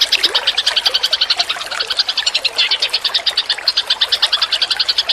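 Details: Tutor recording of Eurasian tree sparrows for training cage birds, full of fast sharp chirps repeated in quick pulses, many voices overlapping into a busy, continuous twitter.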